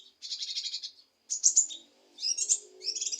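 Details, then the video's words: Cucak kinoi leafbird song, used to provoke a reluctant kinoi into singing: a high buzzy chattering phrase, then sharp whistled notes and dense twittering bursts in quick succession. "Cucak Kinoi Untuk Memancing Emosi Kinoi Malas Bunyi"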